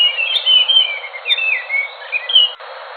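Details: Enggano thrush song: a flowing stretch of mellow whistled notes, some drawn out and some sharply slurred, ending abruptly.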